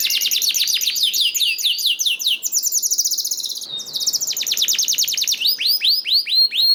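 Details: Canary song meant to make other canaries sing: dense rolling tours of descending sweeping notes, about four per second, shifting into a high trill and ending with slower arched notes.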